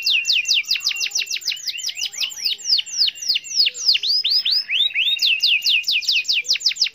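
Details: Canary in full long-rolling song to provoke a rival, pouring out fast repeated swept whistles, slowing into wider curved notes midway, then speeding up again.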